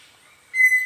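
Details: Pheasant cuckoo calling in forest near the Canopy Tower, Panamá, gives a single clear, steady whistled note cut off after about a third of a second, with a faint forest hiss underneath.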